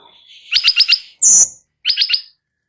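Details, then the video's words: Light-vented bulbul singing in training audio meant to draw replies from other birds: a quick run of four clipped notes, a loud harsh hissing burst, then another run of four notes. "Cucak Cungkok NGEBERN , Apapun Burungnya LANGSUNG NYAUT dengar MASTERAN ini"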